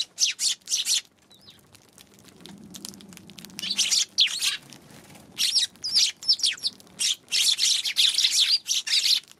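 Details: Chirping of Eurasian tree sparrows recorded January 11: clustered bursts of bright, high twittering notes, a quieter stretch with low background rumble in the middle, then sustained busy chatter to the end.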